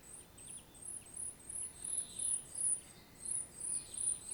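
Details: Eurasian treecreeper, or common treecreeper, in a field recording from Świnoujście, Poland, on 25 September 2022: very high, thin, sibilant notes in a steady run, about two or three each second, over faint lower chirps and soft background hiss.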